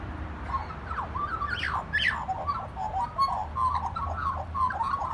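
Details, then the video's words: Magpie singing at a family home, a few sharp rising and falling whistled slides followed by a chain of mellow warbled notes. "Magpie singing at Dad’s 2"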